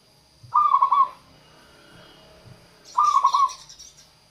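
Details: Local zebra dove used as a lure for wild doves and to coax quiet birds into song: two soft stuttering coo phrases about two and a half seconds apart, the second overlapped by a brief high rustle.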